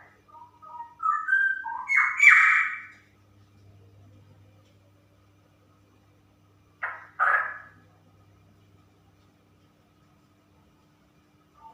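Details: Female straw-headed bulbul in ropel song: a quick run of rising whistles swells into a loud, harsh, bubbling burst. After a pause, two short, loud gurgling notes follow, with a faint low hum.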